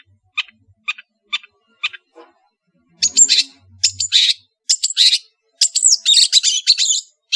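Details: Long-tailed shrike from Madura: a few thin, spaced chirps give way to loud, scratchy chattering phrases mixed with whistled slides, with a faint low hum underneath.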